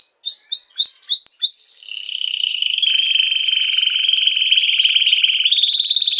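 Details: Canary singing to stimulate females for mating: five loud rising whistled notes, then a long continuous rapid trill, with higher rolling phrases layered near the end.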